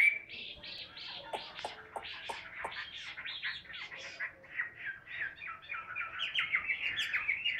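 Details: Hand-held caged Chinese hwamei in Vietnam, a tail-spreading fighting bird giving ngũ trường song: quieter, harsher run of scratchy chattering notes and short squawks that turns into clearer whistled slurs near the end.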